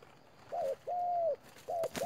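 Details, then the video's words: Spotted dove used as a decoy bird in a trap, calling very fast: three smooth, mid-pitched coo notes, the middle one longest and slightly arched, separated by short gaps, with faint rustling and clicks. "Bẫy chim cu gáy. Bổi thổ quá nhanh"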